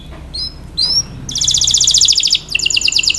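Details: Canary song for training and practice: two short rising whistled notes, then fast rattling trills of bright repeated notes, pausing briefly before a second rolling trill, with faint low background noise.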